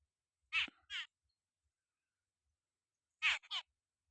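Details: Jungle babbler feeding on bugs on a farm gives a pair of rasping, nasal notes, falls silent for over two seconds, then repeats another quick harsh double note.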